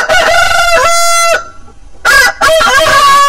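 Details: Rooster crowing: a steady, bright harmonic crow ending sharply, a quiet gap, then another crow starting with stuttering broken notes.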